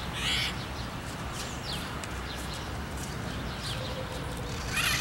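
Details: Red-shouldered macaw in fields and cerrado at Araguari, Minas Gerais, giving two harsh, grating screeches about four seconds apart, with faint thin bird notes and a low rumble in the background.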